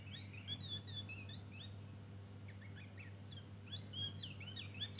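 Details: High, lively twittering 'ngeriwik' song of a Javan grey-throated white-eye, with bursts of fast chirped and slurred notes separated by brief pauses, backed by a continuous low hum.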